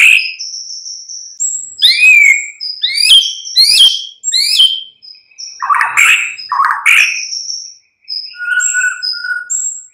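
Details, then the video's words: White-rumped shama mid-morning lure song to prompt replies: a run of quick sharp downslurred chirps, then rich fluty warbles and scattered high thin whistles, loud and varied. "Pancingan murai batu PAGI DHUHA Agar NYAUT GACOR dan Ngeplong"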